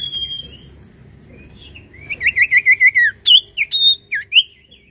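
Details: Sirtu singing hard: thin high whistles, then a fast train of looping, buzzy-edged notes followed by loud, separate sharp chirps, over faint background murmur.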